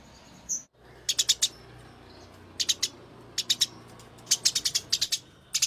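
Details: Eurasian tree sparrow fighting: clusters of sharp, high chirps in quick bursts of three to six, separated by short pauses, over a low steady background hum.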